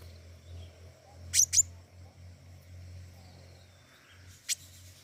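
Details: Actively singing flowerpecker: a quick pair of thin, very high chips, a pause of about three seconds, then one more sharp chip, over a low droning hum.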